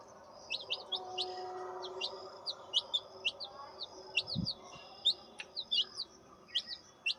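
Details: Turkey chicks peeping: many short, sharp, high chirps in quick irregular succession, overlapping at times, over a steady background hum and one low thud.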